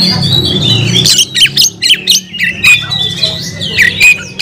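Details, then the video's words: Kacer, the oriental magpie-robin, caged, giving scratchy bursts and thin sliding whistles, with a low murmur of background noise, possibly voices, in the opening second. "kacer gacor nagen sampe leklok"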